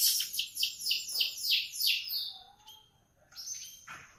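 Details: Canary singing in the morning: a run of loud descending swept notes repeated rhythmically, then a quiet pause and a few thin rising whistles.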